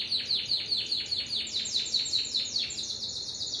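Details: Timbrado canary giving a series of downward-swooping whistled notes, about five per second. They rise higher midway and end in a thin, high, sustained roll.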